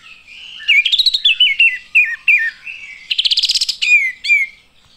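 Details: Chirping olive-winged bulbuls: a string of wavering, dipping whistles, then a rapid buzzy rattle about a second long, followed by two clear downslurred notes.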